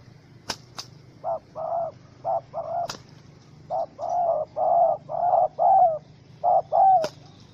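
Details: Spotted dove, wild and angry in a small rope trap, 04/07/2017: a few sharp clicks, then a run of low coo pairs and triplets, short notes leading into drawn-out falling coos.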